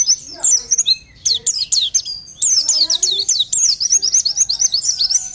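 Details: Oriental white-eye song in the Bustomi lure style, used to draw birds into answering: rapid high-pitched twittering phrases of sliding, chirpy notes, broken by short pauses, with a few lower faint tones beneath.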